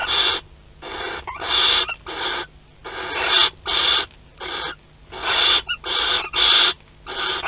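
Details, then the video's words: Barn owls courting and mating at a nest in Théding, webcam, 25 May 2020; a rapid run of about eleven loud, harsh hissing bursts, some clipped short, at uneven intervals of roughly half a second. "Câlins et accouplement - 25/05/2020 - Les Chouettes Effraies de Théding"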